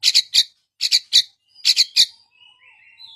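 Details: Long-tailed shrike song used to prompt a silent bird into singing: three clusters of harsh, buzzy rapid chatter notes, then soft low warbling tones trailing off.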